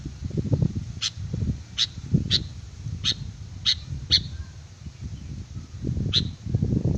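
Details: Sooty-headed bulbul song used as a lure: sharp single high notes spaced irregularly, partly masked by loud low rumbling noise throughout.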